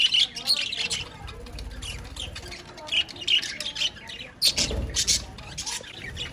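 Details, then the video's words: Loud budgerigar chatter, a jumble of shrill squawks and fast twittering in repeated bursts, with a brief low thump near the middle. "Have You Insane Budgies??"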